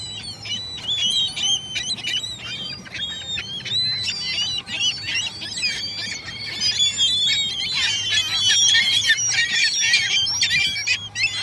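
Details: Busy gull colony sound, countless harsh cries and yelps overlapping without pause, growing louder and denser toward the end.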